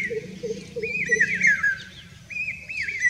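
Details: Common hawk-cuckoo song recorded in Rajasthan, India: strident whistled notes that rise and fall in quick succession, a short pause, then the phrase starts again, over soft lower chirping and a low background rumble.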